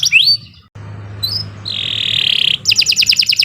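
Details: Canary song recorded as a long-singing training track for other birds: a bright rising whistle, then a short broken gap, a high buzzy slur, a sustained rasping buzz and a fast high trill, over a low steady hum.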